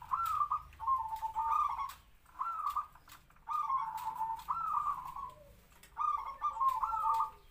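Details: Local decoy zebra dove, captive-bred about three to four years, uttering clipped, trilled kwor kwor coo phrases in separated bursts, with soft background noise between them.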